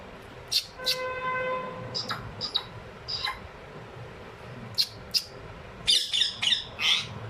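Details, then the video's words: Pair of caged ringneck parrots kept as talking pets, amid Urdu/Hindi speech from the owner; a sustained harmonic whistled note near one second, then several short sharp chirps and squawks toward the end, with quiet room background. "My talking pair of ringneck parrot."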